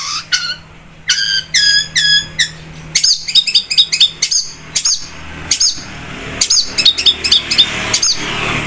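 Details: Long-tailed shrike (cendet) in lively song: sets of ringing harmonic notes, then a busy series of chirps and whistles over a steady low hum.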